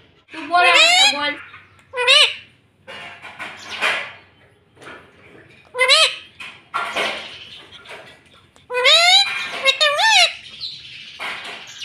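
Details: Talking rose-ringed parakeet, a green pet, said to say "mummy". Loud harmonic, wavering squawks and arched utterances come in bursts over twelve seconds, mixed with noisy, breathy chatter and quieter raspy notes between them.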